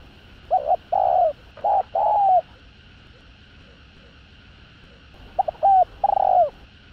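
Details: Spotted dove (cu gáy) giving its crowing call to provoke rival males, three low hooting coos with rising and falling notes, a pause, then another coo phrase over steady background hum.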